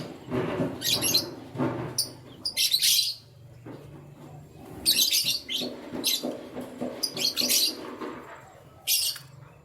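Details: Canary chirping in the morning, with irregular bursts of high, scratchy chirps over a low background hum and rustling.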